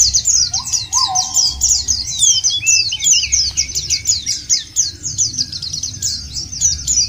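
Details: Lure recording of white-eyes meant to set other birds singing: continuous sharp, high chattering trills in quick bursts, with a brief lower whistled note near the start and a few descending slurs.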